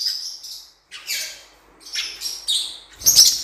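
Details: Cuiubinha (blue-winged parrotlet) song heard as scattered high squeaky chirps and short buzzy notes with small gaps, then ending in a louder burst of rapid twittering.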